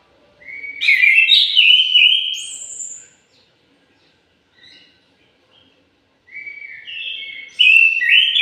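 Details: Morning song of an orange-headed thrush, two bursts of fluty, slurred whistles with a high thin note, separated by about three seconds of near silence with a few soft notes.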